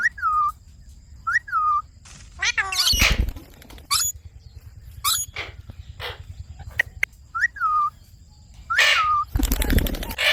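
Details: Indian ringneck parakeet at home calling a repeated whistled note that jumps up then falls, about five times, with harsh squawks and loud rustling or handling noises between.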